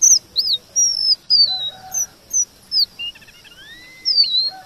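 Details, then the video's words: Lively red avadavat song, offered as a tutor for white-rumped shama, strings high thin whistles and looping notes, then lower sliding whistles and a short buzzy trill before rising again. "Emprit geni STRAWBERRY gacor MASTERAN kombinasi BURUNG KACER"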